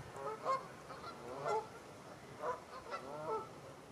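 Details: Canada Geese, part of a flock of over 100 birds grazing in a stubble field in Wiltshire, UK, in October 2019, giving loud nasal honks roughly once a second, some doubled, over soft background chatter.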